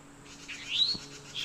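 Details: A towhee's mating call: one upslurred whistle that climbs and levels off, with a steady faint hum underneath and brief speech nearby.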